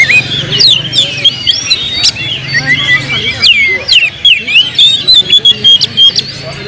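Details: Agitated oriental magpie-robin song serving as a lure to stir up other birds: a rich, varied stream of high whistles, upslurred and downslurred notes and sharp clicks, delivered continuously with a faint low hum underneath.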